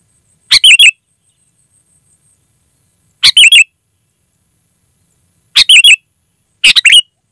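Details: Loud, clear sooty-headed bulbul song, used as a lure for wild birds and as a tutor for captive bulbuls: four brisk three-note chattering phrases at uneven gaps, with a faint steady high whine early on.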